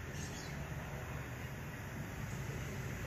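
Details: Constant loud low-pitched rumble and hiss, like traffic or machinery, with no animal voices.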